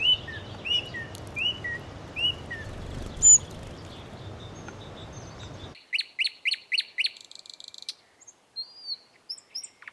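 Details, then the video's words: Sparrows eating food and chirping: a run of short rising chirps repeated every half second, then after a cut a quick series of clipped chirps on a silent background. "Sparrow Chirping Sound | Sparrow Birds Eating Food & Chirping"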